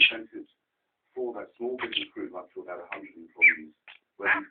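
A budgerigar chatters out mimicked human words in quick, scratchy, high-pitched phrases.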